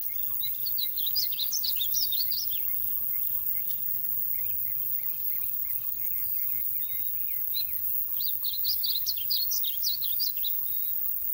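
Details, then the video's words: Painted bunting song recorded at Royse City, Texas, 8 June 2020: two bright, jumbled phrases of fast tinkling, warbling notes, each about two seconds long and separated by a pause with softer chirps, against a low steady hum. "The Painted Bunting - (In Song!)"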